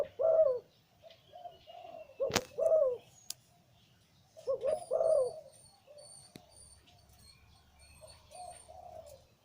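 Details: Big-voiced male zebra dove kept for breeding, liu tan type, cooing repeatedly in rolled descending phrases, interrupted by a sharp tap, with a faint high chirping from another bird in the background.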